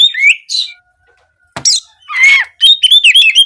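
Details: Oriental magpie-robin, locally kacer, in canary-imitating "nembak kenari" singing aimed at daily and contest form: descending whistles, a sharp click-like burst, a harsh buzzy note, then a quick whistled trill.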